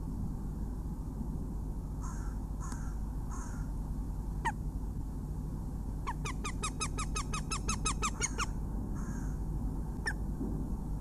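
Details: Female northern goshawk in her nest in Latvia, recorded by livestream on 21 February 2017 at 11:17 with crows nearby: a fast run of sharp, repeated kek-like notes lasting about two seconds, with scattered hoarse calls before and after over a steady low rumble.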